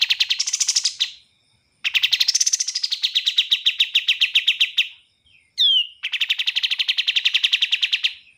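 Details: Bar-winged prinia singing rapid, tightly packed repeated notes in long rattling trills, some phrases opening with a higher buzzy overtone that slides down, separated by brief pauses and a quick sharp swept note.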